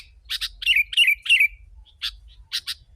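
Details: Sooty-headed bulbul, used as a lure for wild birds, alternating rasping double chips with three quick warbled phrases that slur downward, then two more paired chips; faint low hum.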